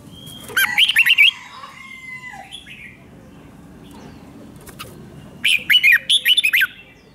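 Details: Red-whiskered bulbul song played to stir up caged birds: two rich whistled warbling phrases several seconds apart, with soft calls between them and low background rumble.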